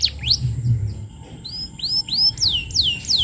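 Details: Canary lure song for training young canaries, with a few high notes and then a run of looping, upswept and downswept whistles repeated about every half second, over a faint low background hum.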